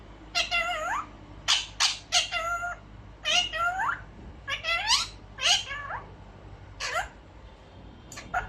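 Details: An albino pet ring-necked parakeet talks in a string of short, nasal, falling syllables, some almost meow-like, delivered in quick bursts with brief pauses over about eight seconds.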